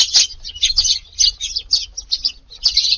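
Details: Eurasian tree sparrows feeding in a garden in Japan on a summer evening. Short bright cheeps arrive in clustered bursts separated by brief gaps, several birds calling at once in a lively, uneven rhythm.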